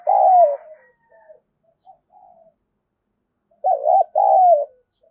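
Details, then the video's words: Domestic spotted dove cooing 'thúc dấu' to lure wild doves: a falling coo at the start, scattered faint notes, then a full phrase of a rapid double note and a long descending coo. "Tiếng chim cu gáy thúc dấu bổi rừng nghe nhanh về cội, bổi nhà xiêng gáy"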